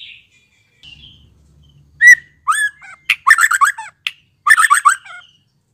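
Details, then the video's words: Newly fledged white-rumped shama giving loud upslurred whistles, then rapid harsh rattling buzzy phrases broken by a sharp tick, with faint low rumble early on. "BARU LEPAS TROTOL cocok buat merangsang MURAI BATU Trotolan belajar Bunyi"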